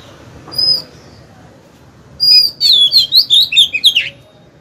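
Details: Caged Oriental magpie-robin used as a decoy bird, singing to lure rival birds into fighting; a brief high whistle, a pause, then a quick run of varied whistled and warbled notes.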